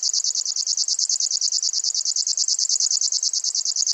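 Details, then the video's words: Grasshopper warbler of the genus Locustella: a high, dry reel of fast, evenly spaced pulses, sustained without a break, with no other sounds. "Сверчок. Голоса птиц"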